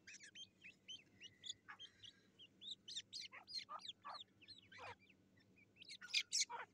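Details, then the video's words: Black francolin chicks squabbling, recorded 18 July 2024: a run of sharp, high-pitched peeps and falling squeaks, some clustered into quick double notes, over faint low background hum. "Teeter kids fighting best .kala teeter kids."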